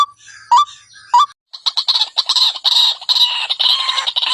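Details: White-breasted waterhen lure recording: a few separate rising croaks, then a burst of harsh, high, chattering calls in quick succession.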